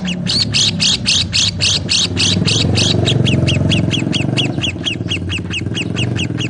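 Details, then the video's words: Lovebirds giving loud, rapid, harsh chirps in a steady rhythm, then softer clipped notes at the same fast pace. A strong low rumbling hum runs beneath. "Lovebird Singing and Chirping Sounds"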